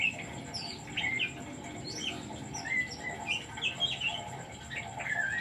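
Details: Oriental magpie-robin singing, used as a decoy to provoke other birds into song. Scattered short whistles and slurred, rising and falling notes come through steady hiss and low background noise.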